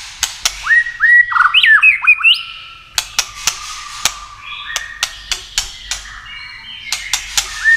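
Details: Tail-flicking White-rumped shama making steady clicking to stir other birds to sing in contests: a short whistled flourish, then sharp dry clicks repeated about every half second over faint level whistles.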